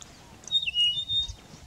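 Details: A helmetshrike in Kenya in October/November 2023 gives a single short, harsh, high squawk under a second long with a thin whistled edge, over a faint outdoor hiss.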